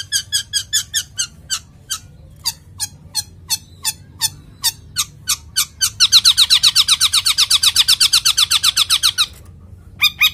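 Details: Male long-tailed shrike in breeding condition: short sharp notes repeated about four times a second, then a fast dense chattering rattle for about three seconds before the single notes resume.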